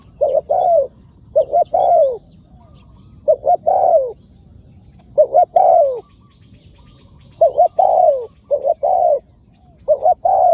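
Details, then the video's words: Wild spotted dove calling in reply to a decoy bird: bursts of clipped double coos ending in a slurred falling note, in separate groups with short pauses, faint chirps behind. "เสียงดี มีคารมป่า"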